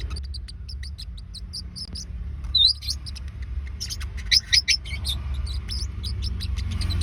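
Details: Pet Forpus parrotlets, two birds, calls meant to help find a lost bird: scattered short, high chirps and tweets, a few sharper louder notes midway, over a steady low indoor hum.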